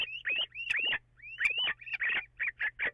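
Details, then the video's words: Little owl calls recorded on 14 April after 04:56, possibly two birds at once, with some echo: sharp upslurred whistled kiew notes repeated rapidly, then short, clipped yelping notes in quick succession. "Steenuil: Twee steenuilen, oordeel zelf"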